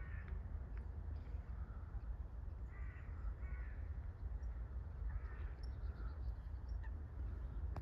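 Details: A wild heron making a weird noise: harsh, hoarse croaks, several short rasping calls spaced a second or two apart, over a steady low rumble of wind.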